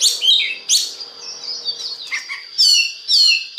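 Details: Oriental magpie-robin song used as a lure to trigger singing in other magpie-robins: sharp loud upswept whistles, then softer warbling and chatter, ending with two strong harsh bursts.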